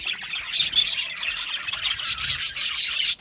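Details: Many budgerigars in an aviary colony chirping happily, a continuous busy chatter of high scratchy tweets and warbling squawks with no pause.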